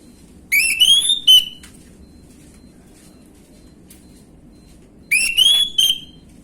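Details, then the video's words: Orange-headed thrush lure recording in the 'gamblingan' style: two separate bursts of loud, clear whistles, each with an upward-sliding note followed by short sharp ones, separated by several seconds of near silence. "PANCINGAN ANIS MERAH BAHAN/GAMBLINGAN | Gak Pake Lama Langsung Ngrespon Bunyi"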